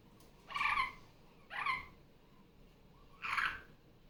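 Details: Pet Barraband parakeet hen, off her nest and vocal during morning playtime. Three rough, ringing calls with a layered, harmonic quality, the first two close together and the third after a pause of about a second and a half.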